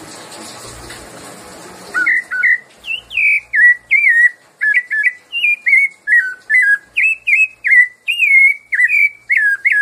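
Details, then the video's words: Rufous-bellied thrush singing the "piedade Senhor" song type: clear, fluted whistled phrases, mostly falling, repeated about twice a second after two seconds of faint background noise. "sabia Laranjeira - canto piedade Senhor"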